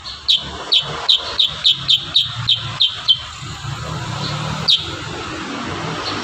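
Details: Vigorous kurincang song for tutoring other birds: a burst of about ten crisp, evenly spaced high chirps, roughly three a second, then a lone chirp later, over a low steady rumble.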